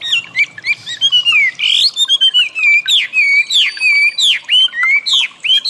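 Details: Chinese Hwamei (wambi) singing, training audio for cage birds: a continuous string of bright slurred whistles, many dropping sharply in pitch, delivered in quick succession with few pauses.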